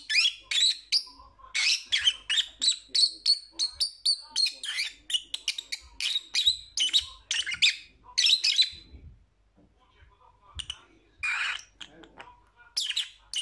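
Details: Lovebird chattering continuously in fast, shrill, squeaky chirps, about three notes a second, pausing briefly before resuming with a few more piercing calls.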